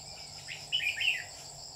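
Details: Red-whiskered bulbul kept as a lure bird for trapping, recorded on 27 July 2019: a short burst of bright warbled notes in two quick phrases, over a steady high insect-like drone.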